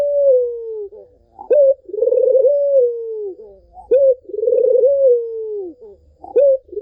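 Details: Barbary dove coos intended to coax a quiet bird into song: smooth falling tones, short forceful rising notes and vibrating rolled coos, cycling roughly every two and a half seconds in a calm indoor setting.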